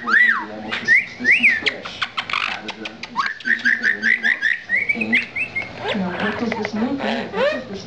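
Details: A pet lilac-crowned amazon parrot getting face time with its owners gives clear whistles that slide up and down and short looping notes, then throaty chortles and squawky chatter. People talk quietly nearby.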